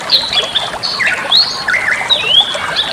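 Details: Master song of a Bali myna, played to teach other birds: a mix of clear whistled glides, some rising and others falling, interleaved with harsh chattering notes, continuous through the clip.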